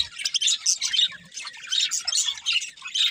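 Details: Budgerigar chirps come in short bursts of sharp, squeaky high notes and scratchy squawks, several per second, with brief dips between phrases.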